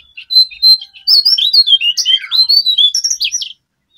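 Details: Brown Prinia song used as a lure recording for wild or captive birds: a quick, busy run of high, sharp chirps and twittering notes, with a couple of clear whistled notes at the start.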